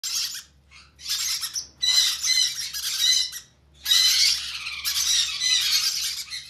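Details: Conure chicks during hand feeding, giving harsh, raspy squawking bursts high in pitch, in long runs broken by short pauses, with a faint low hum beneath.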